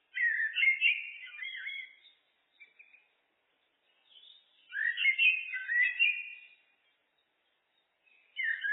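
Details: Turdus merula singing in long, rambling, flute-like phrases about two seconds each, separated by brief soft notes and pauses; a new phrase begins at the very end.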